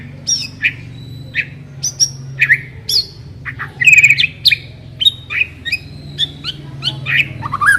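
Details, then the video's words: White-rumped shama song used as a lure to get a shama singing quickly: varied loud whistles and chirps, rising and falling notes at several pitches delivered in rapid succession, with a low hum beneath. "Pancingan suara burung murai batu agar cepat bunyi dan ngeplong"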